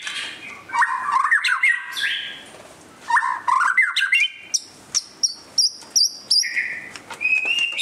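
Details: Song of a white-rumped shama in display: warbled mellow phrases, then a series of crisp, spaced high notes repeated several times and a final rising whistle.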